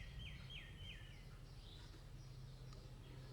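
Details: Asian koel (Eudynamys scolopaceus) call: three quick, shrill notes that slide downward, about three per second, over a steady low rumble of background noise.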